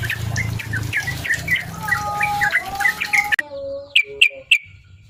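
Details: Yellow-vented bulbul song meant to provoke a rival into singing: busy chirping for three seconds, then a cleaner passage of a few sharp, ringing whistled notes with low tonal overtones.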